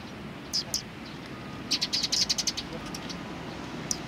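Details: Sparrows chirping at a Tenmangu shrine on 31 March 2020: a rapid burst of about ten high, clipped chirps in a row after a couple of isolated ones, above a soft low background drone.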